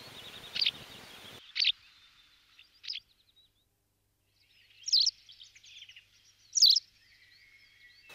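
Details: White wagtail recorded in May 2019 in the mountains of León, Spain: a few sharp high chirps, spaced irregularly with quiet gaps between them, over faint background noise.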